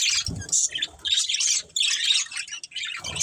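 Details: Budgerigars of a family group chirp in short, choppy bursts of high scratchy warbling, with small gaps and some low rustling thumps between notes.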